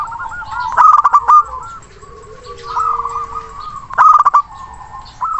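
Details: Local zebra dove with a big voice and long breath, calling a rival as a lure for silent birds; loud stuttering coo bursts twice, linked by beaded trilled cooing, with a lower drawn-out note from another dove.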